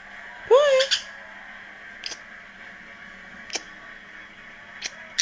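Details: Pet green-cheeked conure making its odd hiccup noises: one squeaky, wavering note that dips then rises, followed by a few soft, sharp clicks spaced over several seconds in a quiet room with a low steady hum.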